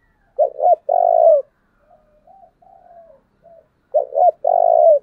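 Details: Spotted dove decoy bird giving its urging call to provoke wild doves: two short quick coos followed by a long, low, purring coo, the phrase repeated after about three seconds, with soft faint cooing notes in between, otherwise quiet.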